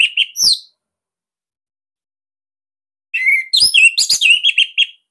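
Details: Song of a Bali orange-headed thrush, valued as master material for training captive birds: a brief burst of whistled notes, a long silence, then a dense, fast stream of sharp, varied chirps and whistles.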